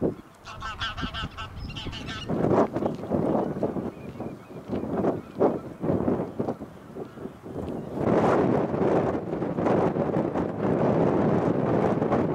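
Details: Female tufted duck, wintering in South Holland, gives harsh, growling notes in quick, uneven runs while preening, with steady rushing background noise rising toward the end.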